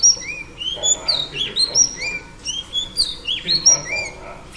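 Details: Oriental Magpie Robin female in song meant to excite males, giving rapid sweet whistles with upward and downward slurs, short notes tumbling in close succession throughout.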